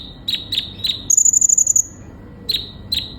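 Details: ['Sunbird in full song: spaced high chirps around a short, rapid, shrill trill of repeated notes, then more single chirps.']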